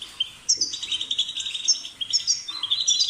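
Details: A brief stretch of European goldfinch twittering, sweet high chirps and short buzzy trills delivered in quick succession over a faint low hum.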